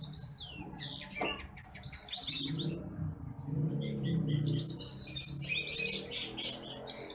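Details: Bush lark training song: dense, continuous high twittering and chirping, rapid and varied, with a brief pause partway and a low background rumble.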